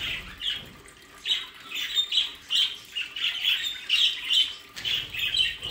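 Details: Budgerigars kept in an aviary play area in the Hague region of the Netherlands chatter in bursts of scratchy, squawking chirps. The chirps rise and fall in loudness about every half second.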